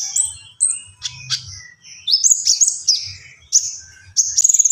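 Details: Common iora in gacor song: high sweet whistles and rising slurred notes with gaps, ending in a fast high pulsing trill, with a soft low hum behind.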